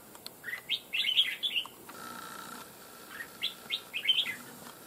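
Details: Wild red-whiskered bulbul, a recently trapped bird kept for fighting, singing short bright warbled phrases in two bursts, with quick rising and falling notes and a faint steady hum behind.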